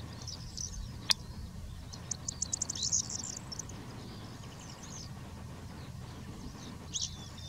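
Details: Black-headed wagtail (Motacilla flava feldegg) giving thin, high chirps in a quick run of short notes, then a lone call near the end, over a steady low rural hum.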